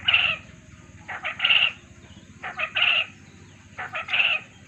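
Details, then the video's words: Lure call played to make quail respond, a three-part phrase of two brief clipped notes and a longer bright note, given four times at roughly one-and-a-quarter-second intervals, with constant low background hum. "suara pancingan puyuh agar pasti langsung nyaut"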